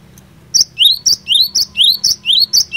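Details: Loud, close cinereous tit pouring out provoking song to spur other tits into answering: around five repeated phrases, each a piercing high note slurring into a rising, bright whistle, with a faint steady low hum beneath.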